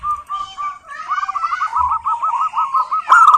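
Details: Local zebra dove song used as a lure for other doves: a soft lead-in, then a quick run of rolling, evenly spaced cooing notes at one pitch, ending in a louder burst.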